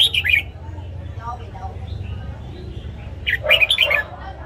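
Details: Morning song of a caged red-whiskered bulbul used for training: a bright warbled phrase at the start, a pause with faint lower notes, then a fuller run of quick, tumbling whistles over low hum.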